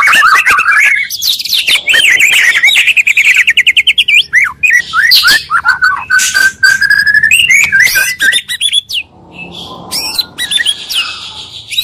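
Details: Oriental magpie-robin lure blending two singers to trigger rival birds: rich rising and falling whistles, fast rattling runs, clear sliding notes, then quieter high phrases near the end.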